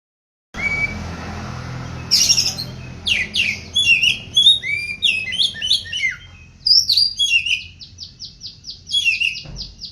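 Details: Oriental magpie-robin, kept as a songbird in Indonesia, in full gacor song: varied loud whistles, sharp chirps and slurred phrases, then a quick string of repeated clipped notes, in a quiet setting.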